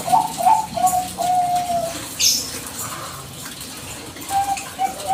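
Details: Zebra dove of the Bangkok type, a lively singer, in a recording played as a lure to make other doves answer: a few short, even, hollow coos, then a pause, then more coos near the end, with soft chirps behind.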